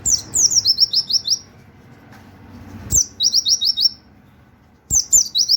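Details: White-eye singing a 'nembak wit wit kenari' tutor song in three bursts, each a few sharp falling notes leading into a rapid trill of about five rising chirps, with a low hum between.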